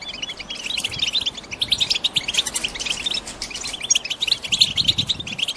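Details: Caged female European goldfinches chattering to stimulate a male to break his silence and sing before the breeding season. Dense, overlapping high chirps and twittering notes pour out almost without pause, with several birds calling at once.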